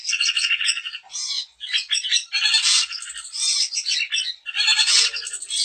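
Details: Song of a daput long-tailed shrike, used to make other shrikes sing: loud, harsh, rasping phrases alternating with ringing chattered notes, the bursts separated by short gaps.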